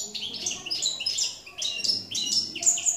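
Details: Goldfinch (jilguero campero) in song, 2017: rapid tinkling, twittering phrases of high, bright notes in quick bursts with brief pauses between them.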